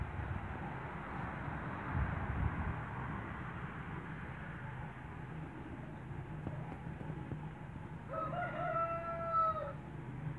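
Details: Huge light Brahma rooster on a Greek farm in Skydra, 2019 season, gives one harmonic, drawn-out crow near the end, falling slightly at its close, after a long stretch of low rumbling background noise.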